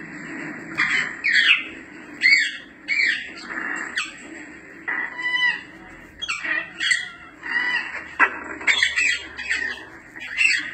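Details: Grey parrot, also called yaco, giving calls for getting its attention: short harsh squawks and whistles in bursts about every second, with brief pauses between them.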